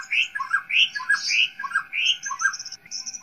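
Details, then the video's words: A White-rumped shama sings a rich, fast run of varied whistles, swooping notes and thin high trills, changing phrase every half second. The song is used as training audio to build the confidence of young wild-caught shamas. "masteran murai batu untuk melatih mental murai batu muda hutan"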